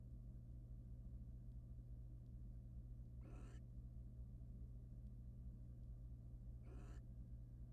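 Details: Male wild barn owl preening his mate inside a nest box; two raspy broadband screeches roughly three and a half seconds apart against a constant low electrical drone.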